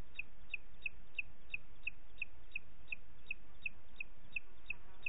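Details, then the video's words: At 20:30 on 29 June 2021 in Parc Natural dels Ports, a booted eagle repeats crisp, high, clipped notes at a steady pace of nearly three per second, clearly above a soft background hiss. "Àguila Calçada"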